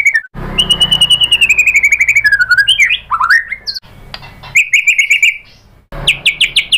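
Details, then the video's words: Lure of white-rumped shama song to stir other birds into singing: a fast, sliding trill that falls in pitch, then swooping whistled phrases, a quieter stretch, and renewed bursts of rapid repeated notes. "SUARA MURAI BATU bikin EMOSI NYAUT jadi GACOR BONGKAR MATERI ISIAN ¦ PANCINGAN MURAI"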